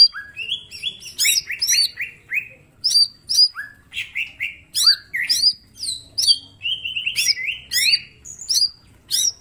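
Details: Small caged green leafbird in full song, used as a master recording for training other birds: varied loud phrases of sharp, down-slurred whistles and high chirps, delivered in bursts about every second, with no other sounds.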